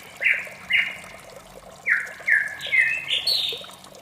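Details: Morning song of a white-rumped shama: clear downslurred whistles at a loose pace, then rising to higher, sweeter phrases, with a soft trickling water sound behind.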